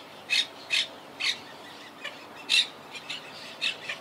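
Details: Wild Quaker parakeets calling in their treetop colony, rebuilt after hurricane Irma in 2017; rapid rasping squawks about every half second, loud at first, then softer chatter between louder notes.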